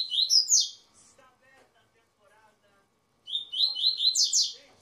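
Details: Double-collared seedeater kept by a breeder, in tui-tui zel-zel song: two bursts of quick, high, chattering whistled notes separated by a pause with faint murmuring voices.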